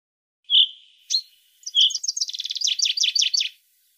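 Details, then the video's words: European goldfinch in the sharshur song style, used to stimulate captive birds: two clear single call notes, then a rapid, dense run of sharp, descending chirps repeated quickly for almost two seconds. "سارع غناء الحسون الظالم جربه وسترى النتيجة الشرشور لتسميع و للتحفيز"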